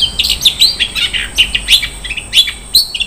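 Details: Long-tailed shrike delivering a luxurious 'isian mewah' song: a rapid, jumbled chatter of high chirps, squeaky whistles and short trills packed tightly together.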